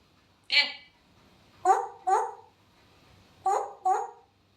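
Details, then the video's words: Pet grey parrot mimicking a duck's quack: one sharp nasal squawk, then two pairs of quack-like honks about two seconds apart, in a quiet room. "Echo the Grey speaks"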